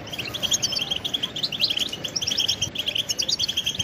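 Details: Goldfinch song used for training songbirds: dense high-pitched twittering with rapid liquid trills and short buzzy notes, steady and unbroken, over faint background noise.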